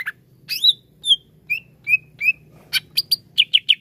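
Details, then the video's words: Greater green leafbird song used as therapy for a bird reluctant to sing: clear slurred whistles, each rising then falling, spaced about half a second apart, ending in quick sharp chips, over a faint low hum. "TERAPI CUCAK IJO LELET BUNYI"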